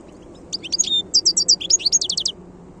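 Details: Wild European goldfinch song, a brisk run of tinkling high chirps and liquid twitters closing in a short rapid trill, recorded with soft low background hum.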